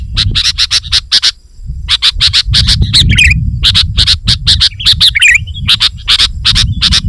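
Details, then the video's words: Sooty-headed bulbul in full, lively song, used to challenge rivals and lure wild bulbuls: rapid runs of sharp, clipped chirps, several per second, broken by a brief pause and a few slurred whistles, over a steady low rumble. "Suara Burung KUTILANG GACOR Rapat Menekan Lawan Ampuh Untuk Memikat BURUNG KUTILANG Liar"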